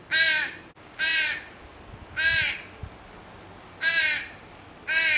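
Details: Fledgling crow begging its mother bird for food with grating, strained caws, five calls about a second apart, each short and harsh, faint low knocks between them.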